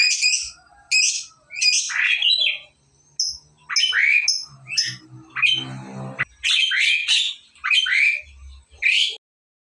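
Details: Lovebird learning to ngekek, its song lengthening: repeated shrill chirps and downslurred squeaks in uneven bursts, about one every second, with a brief rough low buzz midway.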